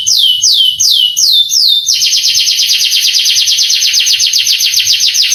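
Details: Canary song played to excite young canaries into singing: several sweeping descending whistles about every half second, then a long fast rolling trill of rapid repeated notes.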